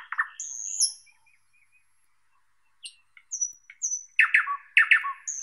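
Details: Thrush nightingale song with gaps: low throaty notes and a sustained high whistle, a pause, then short falling whistles and a closing burst of loud paired harsh clucks.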